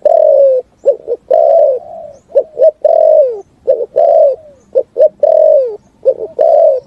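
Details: A spotted dove's complete 'thúc gù' song resounding in forest: low, mellow coos in a steady pattern, each long falling note preceded by two short clipped ones.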